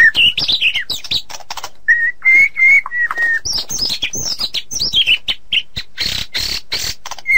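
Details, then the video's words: White-rumped shama singing for songbird tutoring: high swooping whistles mixed with steady clear whistled notes, rapid chattering chips and buzzy bursts, dense varied phrasing throughout. "Suara Masteran Burung Murai Batu"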